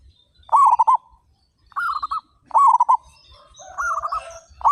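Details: Actively singing local zebra doves, thirty-five birds with big voices: three clear bursts of fast stuttering coos about a second apart, then softer overlapping coos from farther birds, with light high chirps.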